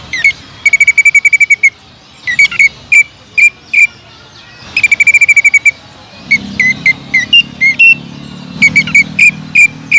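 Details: Greater green leafbird, a lively singing bird used to provoke other leafbirds, delivering rapid bursts of loud, sharp whistled notes around a steady pitch, in quick runs with brief pauses; a low hum underlies the later part.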